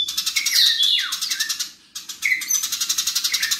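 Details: A fast, harsh rattle of about four pulses per second from fighting house sparrows, with a loud descending squeal early and a short gap before the chattering resumes.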